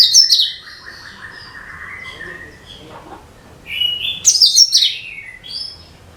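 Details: Cucak kinoi song used as a lure for all kinds of birds: an opening shrill chatter, a long wavering whistle, a pause, then another run of loud, bright, high twittering phrases.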